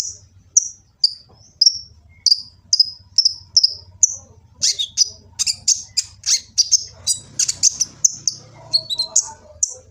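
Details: Sunbird (kolibri ninja) recorded by phone in Gresik, East Java, for training birds: evenly spaced high, thin chirps about two per second, then denser, harsher ticking notes in quicker succession.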